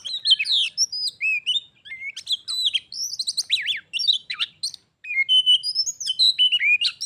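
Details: A domestic Oriental magpie-robin and a wild visitor compete in song before fighting. A continuous, varied stream of whistles, trills and sharp chirps, dense and fast, with brief gaps.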